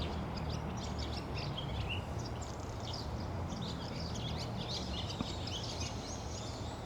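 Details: Barn swallow chatter of quick, thin chirps and brief rising squeaks comes in bursts throughout, set over persistent low-pitched background noise.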